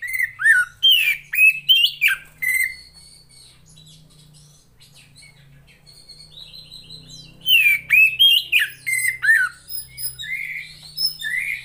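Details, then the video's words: Captive female Oriental magpie-robin used as a lure to make quiet males sing: loud clusters of sharp whistles and chirps at the start and end, a softer middle passage, and a low steady hum underneath. "SUARA KACER,POCI BETINA,terapi untuk memancing burung jantan yang males bunyi"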